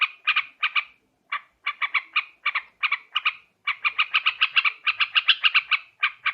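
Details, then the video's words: Sooty-headed bulbul chattering, used as a lure for catching birds. Grouped bursts of bright notes are broken by a one-second gap, then become a rapid continuous series. "Suara trucukan khusus buat mikat"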